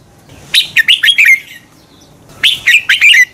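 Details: Red-whiskered bulbul producing competition song used to excite other birds: two rapid phrases, each of four or five bright, slurred, downward-bending whistles, separated by about a second of quiet.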